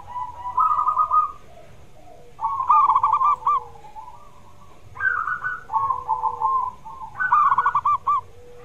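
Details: Zebra dove song meant to prompt a quiet dove into singing: repeated phrases of fast staccato cooing notes, some rising then falling, separated by short pauses, with a soft lower coo in the background.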